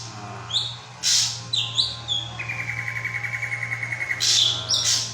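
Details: Drongo singing in a mix of high whistled notes and harsh broadband bursts, with a steady rapid series of even notes held for nearly two seconds in the middle, over a constant low electrical hum.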